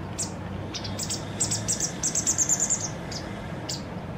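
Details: Parent white wagtail feeding its fledgling for the last big meal before independence: high, thin chips that speed into a fast, even trill of about eight notes, then two isolated chips, with low hum beneath.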